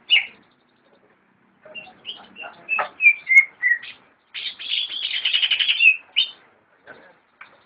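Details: Scattered chirps and slurred whistles from a caged greater green leafbird (cucak ijo), then a loud, rapid buzzy trill lasting nearly two seconds, trailing off into faint notes.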